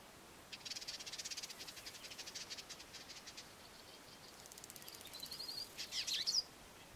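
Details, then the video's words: A male Dusky Indigobird in southern Africa, calling from an exposed branch used as a song post, gives a fast buzzy chatter of high pulses for about three seconds, then a scratchy twitter ending in sharp, thin whistled notes. "The dusky indigo bird males always call from an exposed branch. and"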